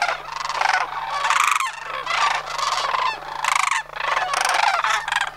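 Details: Sandhill cranes calling during their September 2009 autumn migration from Homer. Repeated rolling, purring rattles come in bursts of about a second with brief pauses, several cranes overlapping.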